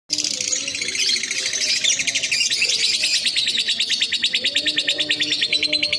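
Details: Lovebird singing ngekek to provoke a rival: a long unbroken high chatter of rapid, evenly pulsed buzzy notes that runs without pause for the whole stretch, with faint low background sounds beneath.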